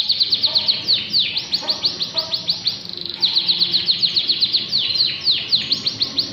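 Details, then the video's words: Singing canary in full voice repeating its song: long runs of quick, bright, descending whistled notes, a short rattling trill near the middle, then the sweeping notes resume steadily to the end. "kenari gacor lagu nya di ulang ulang"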